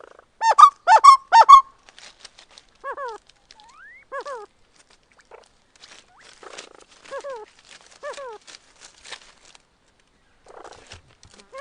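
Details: Spot-winged wood quail (uru, capoeira) singing at Serra dos Órgãos National Park, Teresópolis, Rio de Janeiro: a brief loud burst of rapid repeated notes, then scattered downslurred whistled calls with quiet gaps between them.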